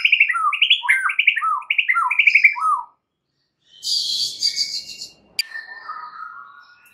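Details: White-rumped shama lure song, champion-bird material for provoking other shamas: fast repeated chuckling double notes for about three seconds, a pause, then a harsh buzzy burst and a low trailing whistle.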